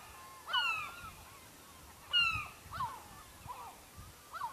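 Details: Lofoten, Norway, gulls close to a fishing village: two strong, long, down-slurred wails about a second and a half apart, followed by quieter short yelps from other gulls, soft low rumble behind.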